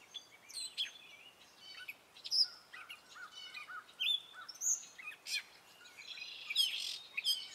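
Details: Gray catbird male delivering spring song, a diverse run of short notes that may imitate other birds and sounds: squeaks, mews, buzzy chatters and sharp whistles in uneven bursts over about seven seconds.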